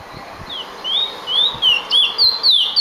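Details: Finch known as emprit producing a sequence of high, smooth whistled notes, each sliding slightly, repeated about three times a second over faint low taps.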